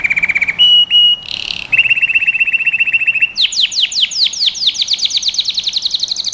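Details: Canary song meant to train young birds: a low steady rattle-trill, two short pure whistled notes, a long even buzzing trill, then a rapid series of bright descending sweeps repeated many times.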